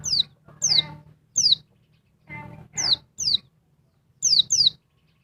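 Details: Noisy female oriental white-eye of the Dakun Bali kind provoking a male: single and paired high, thin, down-slurred notes at uneven intervals, with rattles and a faint low hum.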